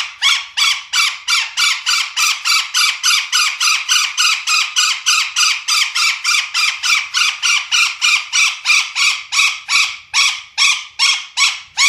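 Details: Golden parakeet giving loud harsh squawks in a rapid, steady series, about three per second, with no other sounds.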